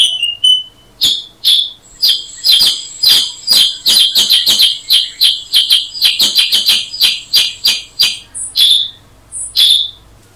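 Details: A Black-headed bulbul (Brachypodius atriceps) gives loud, sharp, high chirps in an uneven series, one or two a second, some doubled, against a quiet background.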